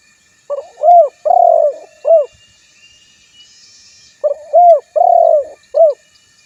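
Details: Spotted dove calling a rival, recorded specifically to lure other spotted doves into answering; two matching cooing phrases about three and a half seconds apart, short and long coos alternating, over near silence.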